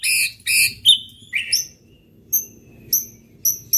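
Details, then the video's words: Shama song meant to excite rival birds: loud high chirps and a short whistle at first, then sparse thin, very high notes spaced about half a second apart over soft background noise. "pancingan muraibatu gacor bikin murai lawan dengar AUTO EMOSI TINGGI"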